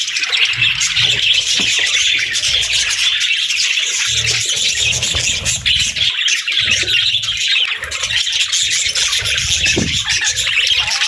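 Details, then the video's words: Budgies making happy sounds, a long unbroken stream of overlapping high chirps and chattering warbles from several birds, with low muffled thumps scattered underneath. "Budgie Chirps & Sounds"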